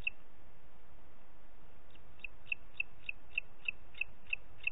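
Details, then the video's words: A booted eagle in Parc Natural dels Ports, 30 June 2021 at 11:01, gives one note, pauses, then a steady string of about nine sharp high notes, spaced roughly a third of a second apart. "Àguila Calçada"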